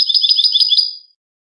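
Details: European goldfinch clean song (cante limpio), 2020, used to educate captive birds: a fast, bright, rolling trill about a second long that thins and fades out, then silence.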